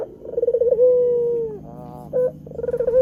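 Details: Barbary dove, the white form, calling on a lure recording for attracting wild doves. A rapid pulsing roll flows into a long steady coo that sinks slightly, followed by a short nasal note and another rolling start.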